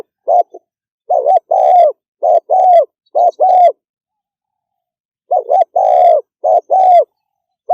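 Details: Spotted dove giving fast 'thúc gù' cooing: mid-pitched, hollow coos in short clipped pairs and longer drawn notes, two bursts separated by a pause of about one and a half seconds, no other sounds.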